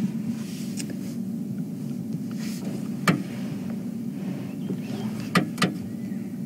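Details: Steady low rumble of an idling vehicle, with a few sharp clicks and knocks near the third and fifth seconds and no animal voice.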